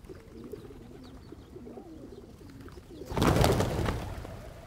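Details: Pigeons among hundreds gathered in Pigeon Valley, Cappadocia, Turkey, with several other birds present: low, wavering coos repeat for three seconds, then a sudden loud burst of flapping wings, with rumbling low background noise throughout.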